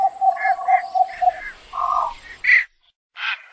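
Javan pond heron giving a quick run of hoarse, nasal notes, then two louder, harsh squawks with a brief pause between them.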